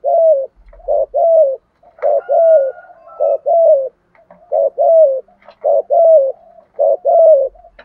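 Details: Spotted doves, male and female, cooing to stimulate other birds to sing, for training. Soft, mellow coos come in doubled and tripled phrases, each note bending down slightly, about once a second, with brief quiet gaps.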